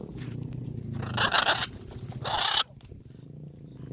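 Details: In a free-flying flock of military and blue-and-gold macaws, a military macaw gives two harsh, raspy squawks, each about half a second long and a second apart, over a low background rumble.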